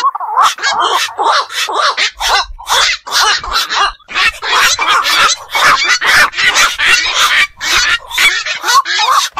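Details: Around two calls a second of coarse croaks from black-crowned night herons, nocturnal birds of ponds and wetlands, several voices running together almost without break.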